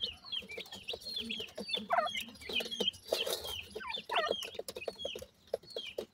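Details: Feeding grey francolin chicks in a family group: dense chorus of high, short, downward-sliding peeps repeated quickly, mixed with clicking taps and a few louder rasping bursts midway.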